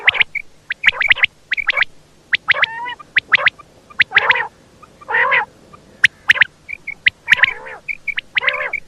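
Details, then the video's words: Female quail calling: sharp paired clicks with short high tonal notes, mixed with nasal, harmonic squawking bursts, all irregularly spaced. "female bater sound"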